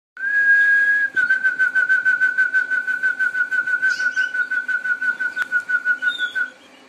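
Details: Harz Roller canary song indoors: a long, steady rolling tour held at one low pitch, first smooth then broken into rapid even pulses for about six seconds, with faint higher chirps from other canaries above.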